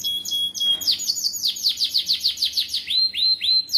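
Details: Canary in vigorous gacor song, used to prompt young canaries and make other canaries sing along; rapid high downslurred notes repeated about three per second, then a few longer rising whistled notes, all very high-pitched.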